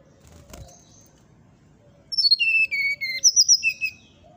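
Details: Brown-chested jungle flycatcher delivering its 'nyuling' flute-like song, said to provoke neighbouring birds: a brief thump, then a rapid descending ladder of clear whistles, a pause, and a second short run of high notes falling away.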